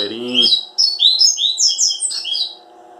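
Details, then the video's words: Caged Double-collared seedeater pouring out a fast run of bright, twittering, up-and-down high notes over about two seconds, just after a brief spoken remark; a faint steady hum sits in the background. "Coleiro máquinas da natureza. corbatita"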